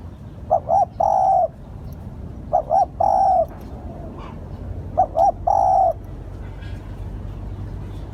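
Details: Lure recording of a spotted dove: repeated phrases of two short throaty notes leading into a longer, slightly falling coo, three phrases about two and a half seconds apart, then quiet with low hum.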